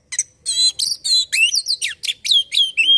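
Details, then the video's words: Oriental magpie-robin song used to draw out another bird's singing: dense rapid buzzy and whistled notes, some rising and falling sharply, flowing without pause. "Burung Kacer langsung bunyi dengar ini"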